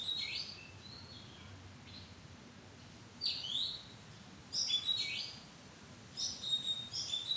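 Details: Oriental magpie-robin calling from a madan tree arbor: clusters of crisp, high whistles and downward-sliding notes arrive in bursts every second or so, with brief pauses between them, over soft noise.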